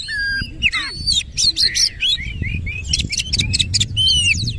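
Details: Singing Oriental magpie-robin (kacer), tail fully open, delivering a busy 'nembak ngerol' performance: looping whistles, rising sweeps and rapid rattling notes packed closely together over faint low background noise.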